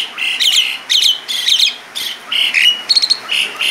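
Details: Asian pied starling, 'gacor' song with a rich 'isian' filling: short harsh squawking and rattling bursts, each under half a second, delivered in an irregular series with brief gaps between.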